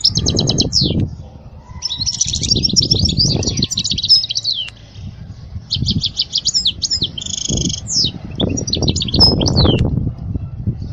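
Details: European goldfinch singing, recorded as a teaching song for young chicks. Bursts of fast, bright twittering alternate with rattling buzzy trills. Low thumping and rumbling background noises recur throughout.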